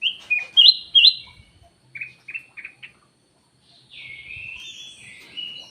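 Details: Ruby-throated bulbul (kutilang emas) giving a lively lure call: loud clear rising whistled notes at the start, then a few short chips, then a long slurred, slightly buzzy downward phrase. The background is quiet.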